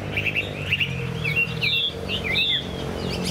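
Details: Short stretch of caged Chinese hwamei song: choppy whistled notes followed by swooping, rising and falling phrases, with a steady low hum beneath.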